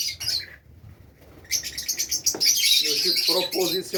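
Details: Pet Fischer's lovebirds in Safi, Morocco, start with brief chirps, go quiet, then burst into loud shrill chattering, with a person's voice faintly underneath near the end.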